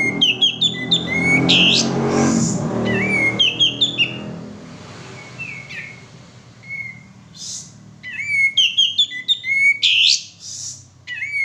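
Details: Male sooty-headed bulbul used as a lure to get birds singing: repeated bright chirping phrases and short whistled slurs, with pauses between bursts, loud hissing noises, and a murky low rumble in the background.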